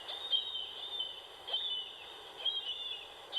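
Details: Marbled Murrelet, a small seabird nesting in redwoods in California, caught by an acoustic recording unit as it flies to and from the sea, giving high, sharp, slightly descending notes every half to one second over steady forest hiss.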